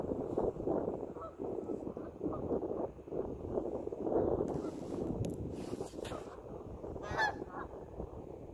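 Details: Geese on a pond, a dense chorus of overlapping nasal honks running throughout, with a few sharper bursts and clicks near the end.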